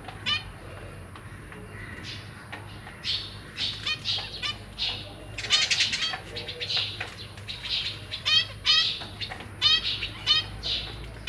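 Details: Newly hatched zebra finch chicks beg as their parents feed them, with a rapid, insistent stream of high, raspy, buzzy calls, about one a second, overlapping and rising in urgency; faint background hum.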